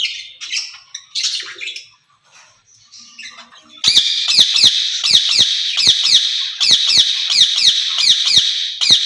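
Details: Rose-ringed parakeet pair kept in a cage, talking to each other, reportedly in Urdu and Hindi; soft chattering first, then a long series of loud, rapid, grating screeches, about four per second.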